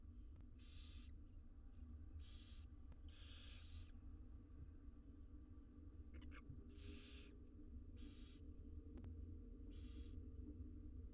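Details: Six wild barn owl nestlings being fed inside a research nest box, giving harsh, hissing, snore-like begging bursts about half a second long, repeated irregularly, with a steady low background hum.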